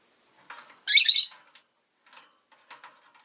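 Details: Rosy-faced lovebird (Agapornis roseicollis) gives one loud, harsh, shrill screech lasting about half a second, with softer scratchy chirps before and after it.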